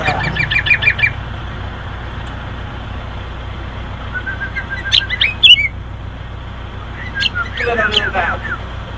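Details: Loud six-year-old sooty-headed bulbul giving short bursts of rapid, sharp chirping notes, separated by pauses of a few seconds, over a faint constant low hum.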